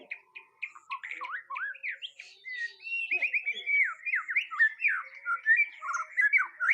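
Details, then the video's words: White-rumped shama on its first mental test, delivering a continuous, lively stream of chirps, slurred whistles and trilled notes that grows louder toward the end. "Nguji Mental Burung Murai Batu Perdana"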